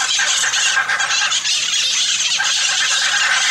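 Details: Hyacinth macaws screeching almost without pause, a dense wall of harsh, rasping calls.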